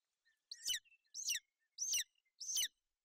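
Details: Golden eagles at a nest in Bucovina on 28 May 2021, a female sheltering her chick from inclement weather. The chick chirps. Four sharp, high, slightly descending chirps come about every 0.6 seconds against a quiet background.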